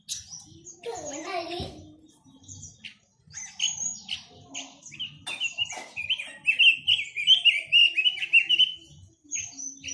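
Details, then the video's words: Chinese hwamei mixing short, scattered chirps with a lively stretch of loud, rapidly varied whistled notes in the second half, over faint low background noise. "Tiếng chim quế lâm"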